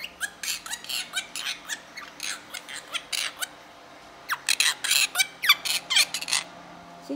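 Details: Three-year-old pet female monk parakeet indoors at bedtime, covered with a cloth and not wanting to sleep, excitedly mimicking the Mandarin phrase "I hit" over and over: rapid harsh, squawky syllables in two bursts split by a short pause.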